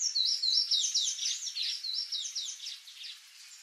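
Palm Tanager song: a rapid, high, squeaky run of twittering notes, about four per second, slowly fading over a few seconds.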